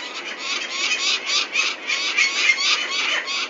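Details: Peregrine falcons in Venlo, Netherlands, 21 May 2024, as chicks are collected for ringing: loud, grating, harsh calls in a dense, fairly irregular run of about three or four notes per second, nearly continuous throughout.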